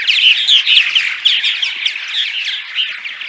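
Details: Several purple martins in dawn song, a sound meant to attract martins to nesting sites. Rapid chattering chirps and short gurgles tumble over one another, about two notes a second, in a steady chorus.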